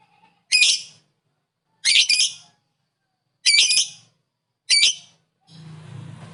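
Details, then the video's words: Lovebird calling in the ngekek style, meant to rile up other lovebirds: four harsh, high, rasping squawks about a second apart, each roughly half a second long, then a low steady hum at the end. "Lovebird ngekek bikin lovebird kamu darah tingi"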